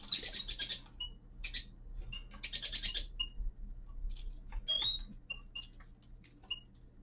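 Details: Common linnet, a young male in winter, delivering rapid buzzy twittering phrases interspersed with short clear whistled notes and a rising slurred whistle, with quieter chips between phrases.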